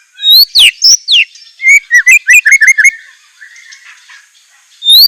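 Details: White-rumped shama filler song: loud downslurred whistles, then a quick series of mellow mid-pitched warbled notes, a pause, and one more rising whistle at the end.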